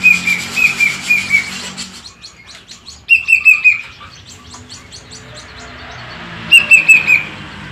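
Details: Plaintive cuckoo, kept as a cage bird: runs of four or five clear whistled notes, each series stepping slightly downward, repeated after pauses of about two seconds, with a low background hum.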